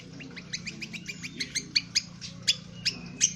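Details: Indonesian honeyeater singing rough twitter (ngriwik kasar), used for training birds: steady string of thin high chirps, some with piercing whistled tips, spaced irregularly about two to three per second over a low hum.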